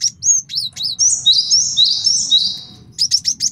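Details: Male cinereous tit singing master song used to train birds and attract wild ones for trapping: several sharp chirps open into a dense, rapid series of repeated high two-note phrases, ending in quick chirps; low hum beneath.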